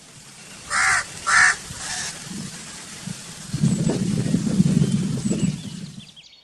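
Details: Crow gives two or three coarse caws in quick succession, followed by a rumbling low background noise.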